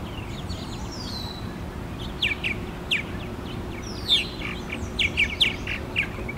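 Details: Purple martin calling at a purple martin house at FortWhyte Alive, Winnipeg, Manitoba, in July 2022: scattered short gurgling chirps and chortled notes in bursts, with thin descending whistled sweeps and a steady low background rumble.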